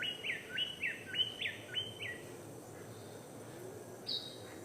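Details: Male king bird-of-paradise in Papua calling to draw a female's attention: six clipped, upslurred whistled notes in a fast even series, then a single high falling whistle after a pause, with forest hum behind.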